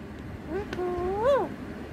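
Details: A pet talking rose-ringed parakeet mimics speech in Bengali: one drawn-out, nasal, word-like phrase lasting about a second, holding level, then swooping up and dropping at the end, over a faint background hum.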